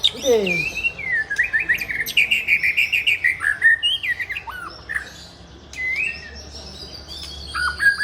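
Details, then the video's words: White-rumped shama, an original Aceh bird from Tangse, with rich varied song: a fast run of repeated chirping notes, then downward whistled slurs and scattered bright whistles, some rising, with a brief low sweep at the start. "Murai Aceh Ori Tangse"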